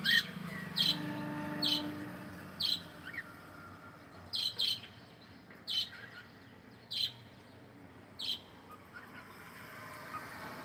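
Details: Cockatiel singing while playing: short, bright, high chirps repeated about once a second, some in quick pairs, over a soft low background hum.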